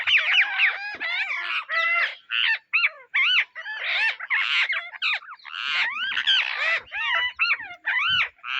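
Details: Indian ringneck parrots foraging for seeds give a dense, almost continuous chorus of loud, harsh, arched screeches. The calls overlap rapidly and only briefly break off between bursts.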